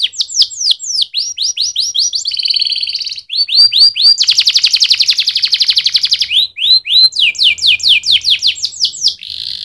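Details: Energetic canary song of fast chirping note series, a tight buzzy roll and a long pulsing trill, then more sweeping whistled notes.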